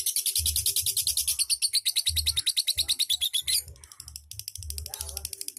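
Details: Lovebird song in the ngetik ngekek style: rapid high ticking chirps, several per second, running in dense bursts with a brief pause, over a thumping music beat.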